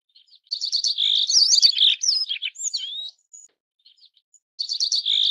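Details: Yellow-browed Bunting (Emberiza chrysophrys) gives a high, bright phrase of quick trilled notes and thin slurred whistles lasting about two and a half seconds, then starts again.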